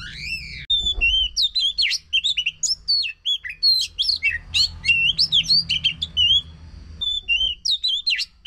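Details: Kacer, or Oriental magpie-robin, singing a lure song meant to coax a bird that has stopped singing: a rich, continuous run of high, varied whistles, rapid twisting slurs and chirps with short breaks, clear against a faint background hum.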